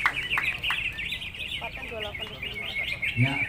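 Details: Greater green leafbird in a singing contest, a prize-winning bird: a busy run of high, rapid chirps and whistled notes held near one pitch band, with people talking beneath.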